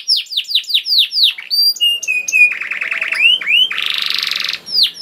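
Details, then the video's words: Canary in full gacor song, played to get other canaries singing. Rapid falling whistles, steady held tones and a rattling note series lead into a dense buzzy trill, with one last downslur. "Kenari Gacor Mewah Langsung Nyaut Gacor Dor Di Pancing Kenari Ini Bikin Emosi || Voice of Canary"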